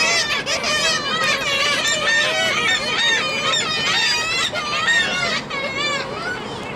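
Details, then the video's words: Gulls at the Baltic, Tyneside, on 2 April 2023, a loud crowded chorus of overlapping wavering, laughing cries repeated continuously. "Seagulls at the Baltic"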